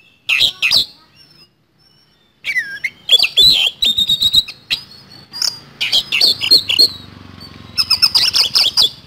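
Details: Oriental magpie-robin in a fast rolling trigger song: scattered harsh notes and a long gap, then rapid chattering runs mixed with whistled slides, faint low hum beneath.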